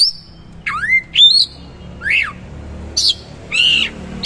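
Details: Oriental magpie-robin (kacer) singing hard with rough material and rich fill, delivering loud swooping whistles that plunge and climb, interspersed with short harsh rasping notes, each phrase separated by brief silences.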